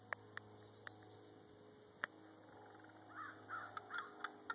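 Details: Common raven in Rome, Georgia, mimicking words by repeating hello and making clicking sounds: sharp isolated clicks, then a run of short hoarse voiced calls; crows and a steady airplane drone in the background.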